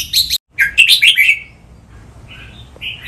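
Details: Caged red-whiskered bulbul in song training, giving a loud tumbling phrase of bright whistled and warbled notes, followed by softer short whistles after a quieter gap.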